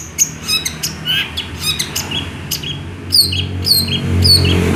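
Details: Long-tailed shrike singing vigorously with a fill of small-bird imitations: a quick jumble of high chirps, short buzzy bursts and sharp downslurred notes, loud and irregular, with low hum underneath.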